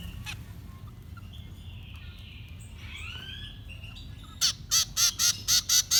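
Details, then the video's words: Fledglings being fed: after a quiet stretch with faint slurred whistles, a burst of loud, harsh begging calls starts up, repeated evenly about four times a second, then ends abruptly. "Feeding baby birds 2020 - Bird Feeding Babies"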